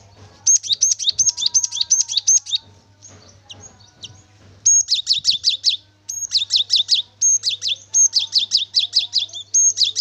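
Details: Cinereous tit singing steadily, offered as a lure to set a bird singing: bursts of rapid, ringing two-note phrases, a high piercing note then a downslurred one, broken by short pauses, with faint softer chirps and a low hum behind.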